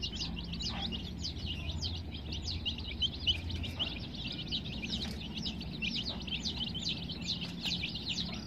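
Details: Many coloured baby chicks in a dense chorus of high, sharp, rapidly repeated peeps that overlap continuously, with a steady low hum underneath.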